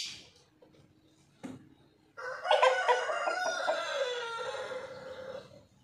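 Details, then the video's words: White rooster crowing: after a sharp knock and near silence, a long harmonic crow starts abruptly, holds rough and strong for about three seconds, then slides lower and fades out. "Ayam Jantan Putih Berkokok"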